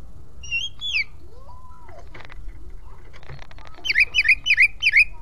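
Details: Oriental magpie-robin in the ngeplong style, played to prompt other magpie-robins to fan their tails: varied whistles and slurs, then four loud repeated sweeping notes about every third of a second.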